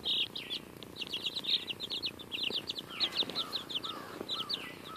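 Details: A group of baby chickens, almost two weeks old, eating a strawberry: rapid overlapping high peeps and short chirps pour out continuously, some dropping slightly in pitch, with scattered pecking taps.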